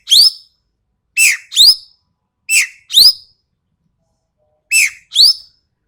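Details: Sumatran common green magpie tutor recording of sharp, coarse calls: a rising squeal, then three evenly spaced pairs of harsh downslurred and shrill upslurred notes, about one pair each second or so, with no other sounds.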